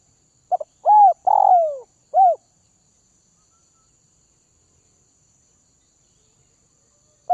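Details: Spotted dove, Northwest-region bird tamed through feeding, sings one mellow phrase of a quick double note, an arched coo and a long downslurred coo ending with a brief note, then quiet until another phrase starts.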